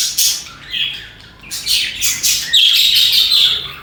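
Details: Budgerigars chatter in quick, high, raspy chirps, with a clearer whistled note rising over the second half.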